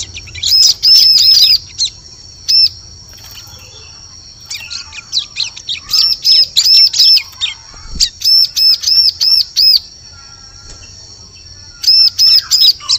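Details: Ciblek lure call for use in forest: loud trains of rapid, evenly spaced high arched chirps in several runs, separated by quiet gaps, over a steady thin background tone.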